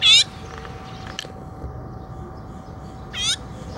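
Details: Azure-winged magpie complaining, recorded 17 July 2017: two short, loud, harsh wavering calls with a rasping, layered tone, about three seconds apart, over a steady low hum and quiet background.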